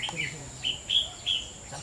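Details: Red-whiskered bulbul of the white-cheeked type, competing against several older birds; short bright chirped notes come in quick bursts about every third of a second, with a man's voice faintly present.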